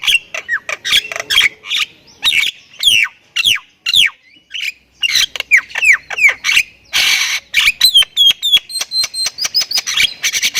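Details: Thailand-type Javan myna in sustained, varied song: a long chain of curved, downslurred whistles in rapid succession, a harsh buzzy patch, then a fast series of high, thin ticks.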